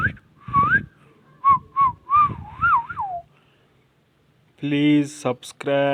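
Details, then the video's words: Indian ringneck parrot, praised for talking, produces short whistled notes and a looping warble, then after a pause a harsh, harmonic voice-like utterance with clicks. "amazing ringneck talking Indian parrot"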